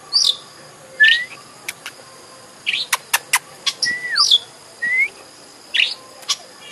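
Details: Oriental magpie-robin lure recording, played to rouse a bird into singing and opening its tail. Clear slurred whistles, some falling and some rising, alternate with sharp clicking ticks and short chirps, over a steady high hiss.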